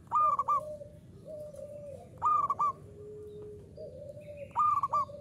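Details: Local zebra dove (perkutut lokal) singing briskly in the 'uraa umum' style: a loud, short three-part cooing phrase about every two and a half seconds, over lower, long, steady hums from other birds and a faint background hiss.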